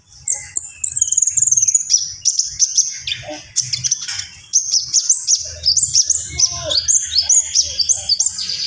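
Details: Energetic gacor song from a Javan pied starling with full isian fill-ins: a long, unbroken run of piercing, high whistled notes, many repeated in quick descending series, mixed with harsher squeaks and chatter, over a faint low background hum.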